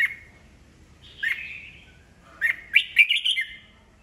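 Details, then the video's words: Red-whiskered bulbul, an old wild-caught bird, in song meant to trigger rivals to sing back: quick slurred whistles rising and falling, then a lively run of bubbly chattering notes in close succession, clean background. "Chào mào già rừng bọng cực hay, siêu kích bổi, bổi nghe là hót đấu"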